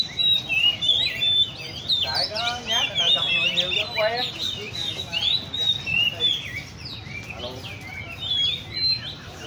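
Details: Several caged Oriental magpie-robins at the Le Thi Riêng park bird cafe trade bright, varied whistled song phrases, some fast and chattering, over murmured voices and café hubbub.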